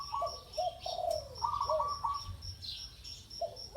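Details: A spotted dove coos at a ground decoy with a soft hollow phrase sliding down at the end, while a rapid chuckling higher bird call breaks in and a shrill insect pulses steadily behind.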